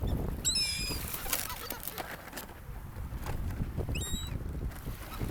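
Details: Seagulls at a sandy gulf beach, among people: two brief bursts of high, quavering, down-slurred cries, one near the start and one later, over constant low surf and wind noise.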